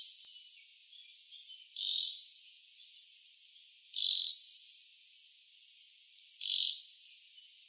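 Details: Red-breasted flycatcher recorded 13 May 2014 in Sakata, Yamagata, Japan, giving short, dry, high rattling bursts under half a second each, repeated every two to two and a half seconds against a quiet background.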